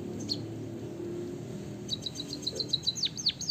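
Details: Rolling canary-style song of a white-headed Javanese munia: an isolated chirp, a pause with low hum, then a fast high trill turning into loud descending whistled sweeps.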